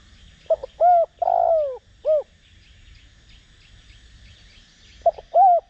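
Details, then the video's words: Spotted dove, a local ground dove, used as a decoy to provoke other doves to coo, in the Đồng Rặc voice style; low hollow cooing phrases, two short notes then a drawn-out coo, repeated after a pause. "Cu gáy mồi cây kích bổi nhanh nổi/Cu gáy gáy gọi kích bổi nhanh gáy/Tiếng cu đất gáy giọng Đồng Rặc"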